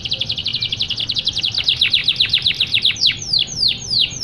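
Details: Energetic singing canary, used to coax lazy canaries into song: a fast, buzzy trill of rapid high notes, then slower, loud, downward-swept whistles repeated about twice a second near the end.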